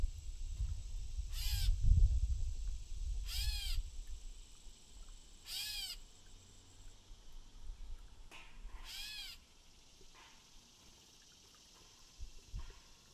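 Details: Friendly catbird calling near people and a cat: nasal, cat-like mewing notes with rich overtones, given about every two seconds, with low rumbling wind or handling noise early on.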